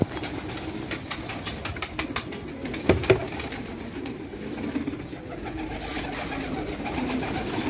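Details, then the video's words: Fighting pigeons in an Afghan village at Khanabad giving faint, low cooing, with a few sharp taps and rustles and steady background hiss. "کفتر های جنگی پرشی در خانه آباد"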